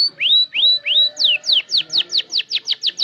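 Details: Young canary starting to learn sounds and arrange its song, used as a lure for other canaries: three rising whistled upslurs, then a steady run of sharp down-slurred notes at about four per second.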